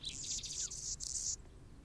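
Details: Male Anna's hummingbird guarding its territory while a female feeds a nestling; a burst of thin, very high, buzzy scratching notes in quick succession lasting over a second, then quiet.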